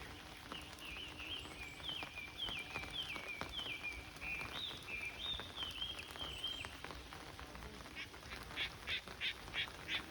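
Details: Japanese bush warbler in a rainy spring forest in Tokyo, late April 2022. A clear whistled series of slurred notes steps gradually downward, followed by short rhythmic pulsed calls, all against the hiss of rain.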